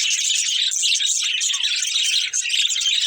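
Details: A family of budgerigars chirps and warbles nonstop in a dense, high, fizzy chatter of short overlapping notes.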